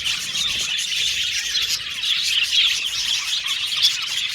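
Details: Budgerigars chirping in a constant high chatter of mixed squeaks and short tweets, several birds calling over each other, slightly louder bursts near the middle and end.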